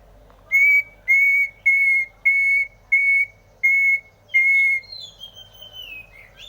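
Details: Greater green leafbird giving a steady series of loud, flat whistled notes, each about a third of a second long and evenly spaced, followed by softer wavering high whistles.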